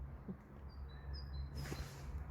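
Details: Great tit in Warley Woods giving its 'teacher' call, also known as 'squeaky wheelbarrow': a few thin, high notes alternating in pitch, close together. A low, steady background rumble runs underneath, and there is a brief broadband rustle near the end.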